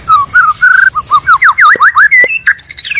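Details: Male and female white-rumped shama singing, natural sound played as a lure for trapping: a steady whistled note, then a rapid series of looping up-and-down whistles, ending in higher sliding phrases and fast chips.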